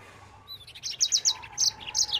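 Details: Short burst of yellow-fronted canary song at full speed, recorded to train other birds: quick, high, crisp chirps building in loudness, repeated in small groups.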